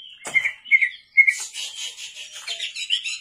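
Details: White-rumped shama singing at night, used as a lure song: a few clear whistled notes near the start, then a dense run of rapid high chattering and twittering phrases.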